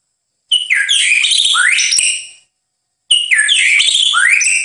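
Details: White-rumped shama master recording for training birds: two long, ornate phrases of swooping whistles and rapid high chirps, each about two seconds, separated by a brief silence.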